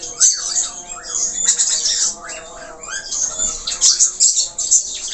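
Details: Budgerigar, the Australian parakeet, singing a full, busy warble: dense scratchy chatter high up, interwoven with repeated arched whistled notes rising and falling, continuous throughout.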